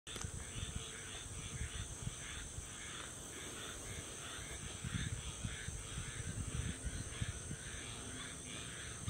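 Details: A juvenile Barred owl, preening and calling for its mother, gives harsh, raspy hissing screeches in a fast, uneven series over steady low rumbling wind or handling noise.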